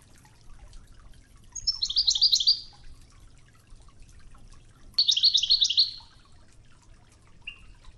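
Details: European goldfinch singing an original Wedani-style Toghza training song over murmuring river water: two short bursts of bright, chattering, twittering trills, then a brief high note near the end.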